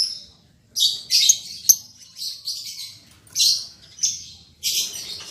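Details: Newly paired caged lovebirds, an albino MM male and a lutino MM female: high, harsh chirps in short bursts, about seven separate screechy notes spread across the clip with brief pauses between them.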